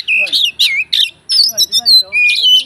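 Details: Oriental magpie-robin in fighter-style song, full of fill-ins to spark other magpie-robins: loud squeaky, harsh whistled notes in quick, evenly spaced bursts, some rising, some falling.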